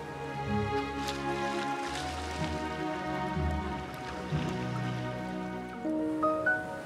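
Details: Sustained instrumental music with layered low tones, with no animal voice anywhere.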